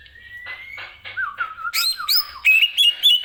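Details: Captive greater green leafbird, song for training other birds, starting with a long slowly rising whistle, then a wavering lower whistle and harsh notes, ending in fast high warbling.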